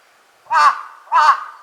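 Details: Large-billed crow at Lake Konuma giving two loud, harsh, hoarse caws about 0.6 seconds apart, each short and rasping with a broad, throaty tone, over a quiet background.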